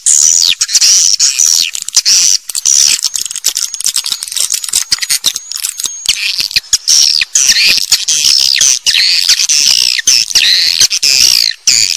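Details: Swiftlets calling in a dense, continuous chorus of high, rapid chirps and twittering trills, overlapping without pause, with a fast irregular rhythm and no other sounds heard.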